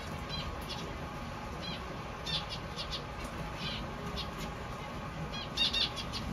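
Zebra finch chicks give faint, raspy, broadband begging calls in short bursts every second or so over a steady background hiss.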